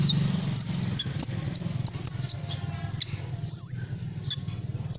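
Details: Olive-backed sunbird lure sound: high, clipped tweets repeated roughly every third of a second, with one longer wavering trill, backed by a constant low hum.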